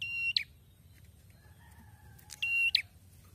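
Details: After moulting, a red-headed prinia sings strongly again: two loud buzzy rattling phrases with sharp chips, separated by quieter thin whistles and a faint low hum.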